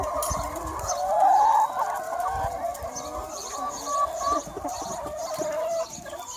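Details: On a sunny spring day a free-range flock of about 200 chickens keeps up a continuous chorus of clucks and squawks, with faint high rhythmic chirping above.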